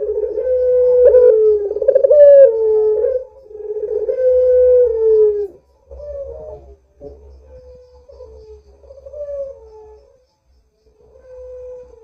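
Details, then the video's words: Barbary dove, used as a lure to make doves call, gives repeated low wavering coos, strong at first and then weaker, shorter and more broken towards the end, with brief silent gaps. "Suara Burung PUTER Gacor ini Paling Ampuh Untuk PANCINGAN Puter Agar BUNYI"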